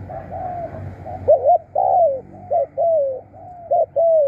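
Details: Decoy spotted dove calling in wild birds with its khrun coos, loud and close: short clipped notes alternating with longer hollow falling coos, uneven in rhythm, after a brief stretch of low rumble.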